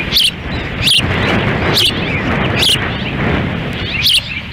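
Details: Ospreys feeding at their nest in Lolo, Montana, on a windy June 10, 2017. The female feeds and the male stands by. Five high, squeaky chirps cut through heavy, buffeting wind noise.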